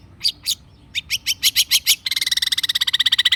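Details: Long-tailed shrike singing actively as a lure to stimulate a silent shrike to reply: harsh scratchy notes speeding into a rapid burst, then a fast even rattling trill of bright buzzy notes, about fifteen per second.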